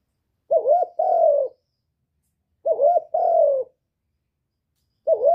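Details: Spotted dove cooing to stimulate other birds: two complete low phrases about two seconds apart, each a wavering note then a longer, slightly falling note, with a third starting at the end.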